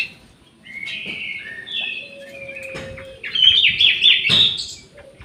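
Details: Orange-headed thrush singing in an aviary: drawn-out whistled notes and a low steady tone build into a loud, dense burst of rapid high warbling.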